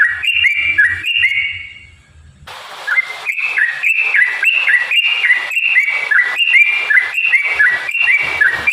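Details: Yellow-vented bulbul with lively, gurgling whistled phrases, rising and dipping notes looped in quick succession after a short pause, over faint hiss. The song is meant to provoke other bulbuls into singing.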